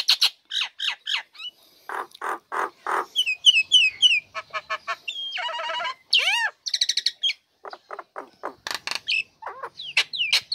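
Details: Nias hill myna female, caged and singing loudly once its cover is lifted, a bird used to lure lazy birds into singing: a long varied stream of harsh bursts, metallic clicks, rising whistles and nasal squeaks, closely spaced throughout.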